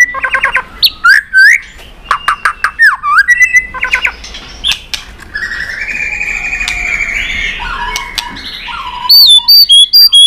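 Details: White-rumped shama in tail-flicking competition singing with a long, varied wild-style song: quick clicking series and whistled slurs, a softer murmured stretch, then loud repeated whistles at the end.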